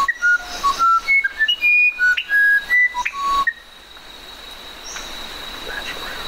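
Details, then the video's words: Musician wren delivering a rapid string of sweet whistled notes, rising and dropping between pitches for about three seconds before stopping, followed by background hum. "SONIDOS del CUCARACHERO MUSICAL"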